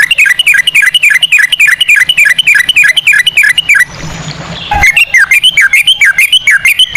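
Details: Sooty-headed bulbul singing in ropel style with cucak rowo phrasing, as a lure for other birds: rhythmic runs of fast, swooping whistles, about three per second, split by a short noisy break.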